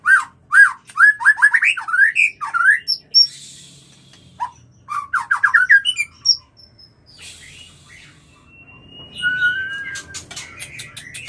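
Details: White-rumped shama mating call used to bring birds into breeding condition: rapid bursts of slurred whistled notes sweeping up and down, with sharp clicks between phrases, then a pause and long thin high whistles near the end.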